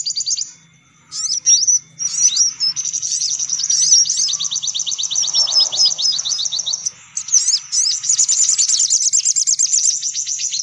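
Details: Lure sound to attract sunbirds: a short opening chirp, then sustained, shrill, fast-chattering trills that carry on with only a brief pause before the end.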